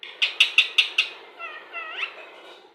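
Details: Talking Indian ringneck parakeet: five sharp, evenly spaced clicky notes, then a soft, nasal, speech-like phrase with wavering tones that ends in a rising squeak.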